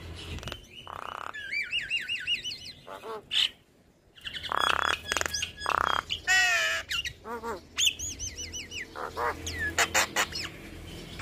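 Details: Javan myna singing continuously while nodding, a stressed, reluctant bird that starts up. It gives a varied stream of looping whistles, bursts of harsh buzzy squawks, and rapid descending trills, with short pauses between phrases.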